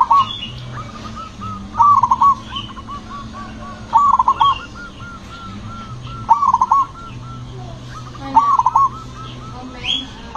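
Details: Loud, booming zebra dove singing to provoke nearby zebra doves. Five strong phrases of fast, stuttering coos, one about every two seconds, with quieter rolling coos from other doves in the gaps.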